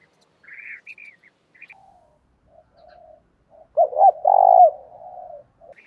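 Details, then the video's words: Spotted dove kept as a lure for training other doves to coo gives one loud phrase of two short notes and a rolled, falling coo, preceded by faint higher chirps of other birds and soft distant cooing. "Tiếng chim cu gáy kích bổi nhanh nổi, cu gáy mồi luyện bổi thúc sung"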